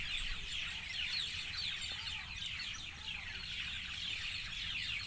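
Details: Birds calling at dusk in a lively, dense chatter of sharp, falling high chirps, some louder individual notes standing out above the crowd.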